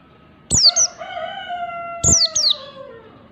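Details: Oriental white-eye of the wild 'ngalas' type, used as a lure recording: two pairs of sharp, high, downslurred chirps, each pair quick, while a rooster's long drawn crow runs underneath.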